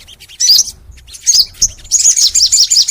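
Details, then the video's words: Crimson sunbird (sogon) song for training caged sunbirds: bursts of high, sharp, twittering chirps, a short phrase early, then a dense rapid chattering run of very high notes in the second half. "MASTERAN SOGON FULL NEMBAK! Suara Sogon Gacor Panjang"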